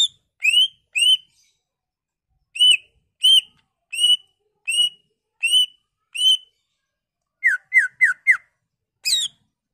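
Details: Greater green leafbird singing a lure song to set other leafbirds singing, unloading its learned repertoire: eight evenly spaced clear whistled notes, roughly one every half second, then a fast run of four downslurred whistles and a buzzy flourish.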